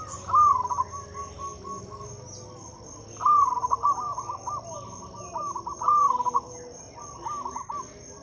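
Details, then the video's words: Local Zebra Dove song for luring silent birds into singing: three or four cooing phrases, each a higher opening note dropping into a fast string of short coos, with a constant high insect-like tone. "Suara PIKAT dan PANCINGAN perkutut lokal gacor untuk atasi perkutut bisu dan susah bunyi."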